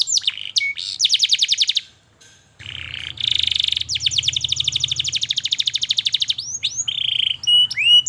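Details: Canary lure song for young learners: fast chip trills and a buzzy roll, with a low hum beneath the middle section, ending in upswept whistles.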